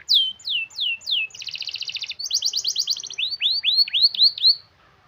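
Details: Local canary in full rolling song, used to prompt lazy canaries to sing: four downslurred whistles, two rapid buzzy trill sections, then a series of quick hooked whistled notes before a sudden stop.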